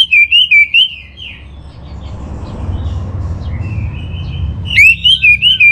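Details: Orange-headed thrush, song played to stimulate kept birds: a brisk phrase of rhythmic looping whistles, a long quieter gap with faint notes, then another bright phrase of repeated slurred whistles.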